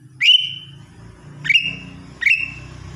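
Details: Lesser green leafbird whistling during its morning routine: three ringing notes, each rising steeply then stretching into a long steady tone, against a persistent low humming background.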